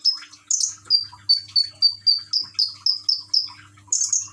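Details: Caged common iora in Gresik, East Java, encouraged by trickling water; a fast series of about fourteen high, pure whistled notes, evenly spaced around four per second, with a buzzier note at the end.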